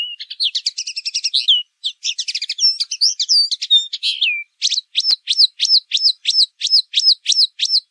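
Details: Pailing bird, pekling song: a dense jumble of rapid high twittering, then a steady run of identical sharp down-slurred whistles repeated about three times a second.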